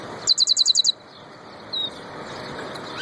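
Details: European goldfinch, described as a royal goldfinch, giving a quick run of seven bright, high chirped notes, followed by a single thin whistled note, over a steady background hiss.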